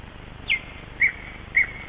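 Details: Bird song at Kasmu during early dawn, 21 May 2012, at sunrise: three short, bright chirped notes spaced roughly half a second apart, each with a slight downward slur, against quiet, constant background noise.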